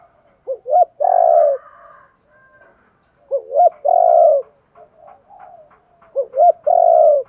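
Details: Spotted dove calling to prompt wild-caught birds to respond: three clear phrases about three seconds apart, each two short rising coos followed by a long, loud, gently falling coo, with faint murmuring between.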